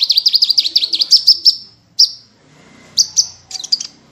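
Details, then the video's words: Small bird song from an Indonesian masteran (tutor recording) full of 'tembakan' bursts with rich variation: a rapid run of about fourteen high, sharp chirps in under two seconds, then isolated piercing notes and short clustered bursts separated by brief silences. "MASTERAN BURUNG KECIL FULL TEMBAKAN VARIASI MEWAH"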